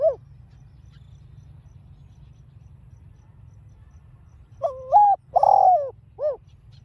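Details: Spotted dove (cu gáy, cu đất) in the 'đồng pha' voice style, calling to provoke other doves. A soft low hum, then one full phrase: a short coo, a long mellow wavering coo, and a brief falling final note.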